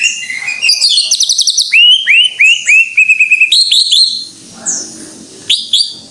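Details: Lively greater green leafbird song: fast run of bright upslurred whistles and ringing trilled notes, then a brief quieter pause before a last sharp phrase.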